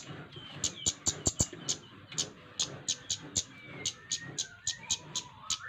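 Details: Active flowerpecker used as a lure to get silent caged birds singing: rapid series of thin, piercing high ticks, clustered early then spaced about every half second, with faint rising whistles from other birds behind.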